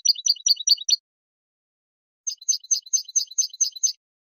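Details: Goldfinch delivering tableteos, basic rattling song phrases: two quick runs of bright, clipped high notes, about five then eight repeats, separated by a one-second pause, no background noise.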